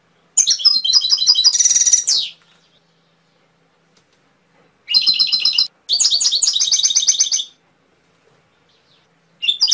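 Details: Canary song delivered in bursts: high, rapid rattling trills and a harsh buzzy roll, a few seconds of silence, then two more fast chattering trill phrases and the start of another.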